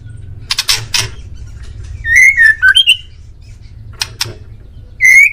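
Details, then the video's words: Male white-rumped shama in Indonesia singing a master phrase meant to make kept birds respond. Sharp clicking notes come first, then a string of fluting whistles falling and rising. More clicks follow and a loud whistle closes. "MASTERAN MURAI DI JAMIN BURUNG ANDA LANGSUNG NYAUT"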